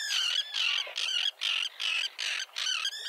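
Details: Small Common tern colony with chicks, set on concrete near a sea breakwater at Liepāja, Latvia, in June 2024; rasping, strident calls repeated about every half second, bird after bird, almost without pause.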